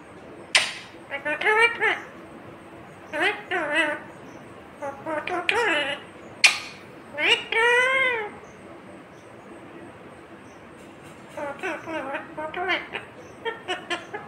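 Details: Indian ringneck parrot, green, producing talking phrases: clusters of quick speech-like syllables with bending pitch, repeated in bursts with pauses, in a quiet indoor setting.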